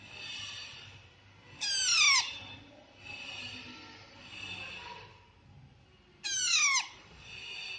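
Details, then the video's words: Baby parrots feeding themselves: two loud, rough calls sweeping downward, about four and a half seconds apart, alternating with softer, hissing, breathy chatter notes in a quiet room. "Baby Parrots Natural Sound (Chirping)"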